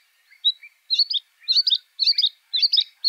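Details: Luscinia svecica cyanecula, the White-spotted bluethroat, singing a run of short chattering twittery phrases repeated roughly every half second, opened by a couple of soft whistles.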